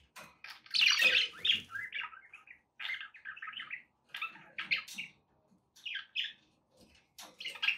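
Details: Pet budgerigars chirp and warble, opening with a loud, harsh, squawky burst. Quicker bursts of scratchy, twittering notes follow, broken by short silences.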